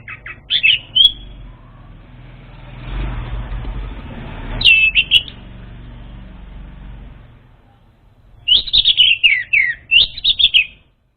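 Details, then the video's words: Orange-headed thrush song used as a lure for an untrained bird: short high twittering, warbled phrases at the start, near five seconds and in a rapid run near the end, with a loud passing-vehicle rumble in between. "SUARA PANCINGAN UNTUK ANIS MERAH BAHAN"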